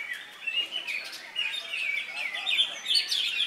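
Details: Cucak hijau, a leafbird newly finished with its molt, singing at an Indonesian songbird contest, Latpres Utama Delta Kencana, on Saturday 3 September; bright rising and falling twitters in quick bursts, busy contest chatter behind.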